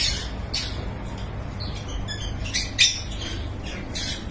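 Lovebirds give sharp, shrill chirps and squawks in quick overlapping bursts, several birds calling at once over a low steady hum.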